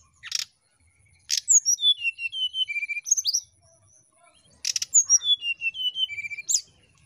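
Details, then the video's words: Brown-chested jungle flycatcher giving two phrases of sweet, clear whistles that step down from high to lower pitch, each opened by a sharp rustling burst. "SRDC NYIUL NGETREK PIKAT DASAR BURUNG SRDC YANG SUSAH BERKICAU"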